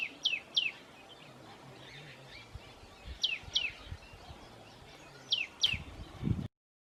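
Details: A tailorbird calling in the Himalayan foothills at Rishikesh gives loud, sharp, falling notes in quick pairs, each pair repeated every two to three seconds over soft background hiss.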